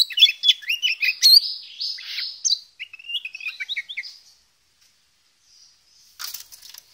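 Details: Oriental magpie-robin of the poci type singing busily in a full-repertoire ngobra style: rapid varied whistled and chattering phrases, rising and falling, for about four seconds, then near silence with a brief rustle at the end.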